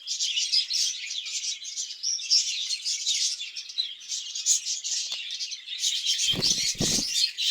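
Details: Budgerigars in a breeding cage keeping up lively, overlapping chirps and warbled twitters, with two dull low thuds near the end.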